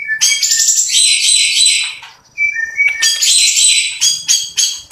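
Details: Kept long-tailed shrike in full song with harsh fill-in phrases and rapid rolling bursts: dense, scratchy, high-pitched chatter in long runs, broken by a pause and two short clear whistled notes, then more fast scratchy bursts.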